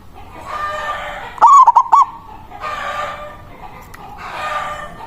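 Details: Local zebra dove with a big voice, singing to call a rival, a lure sound for attracting wild doves: one bright, stuttering cooed phrase of clipped notes then a longer tone, over a steady background hiss.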